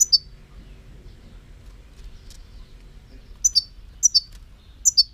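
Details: European goldfinch giving sharp, high double chirps, the first note higher than the second, in scattered bursts, plus a faint earlier note, over a quiet low background hum.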